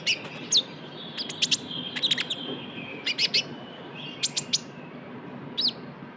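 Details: Lure sound of a brown-throated sunbird (kolibri ninja) in trotol style: clusters of sharp, high chirps separated by short pauses over a thin, steady, high tone.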